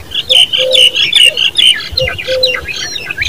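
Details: Young common babblers giving loud, rasping squawks in quick irregular runs, with a lower drawn-out note underneath between bursts.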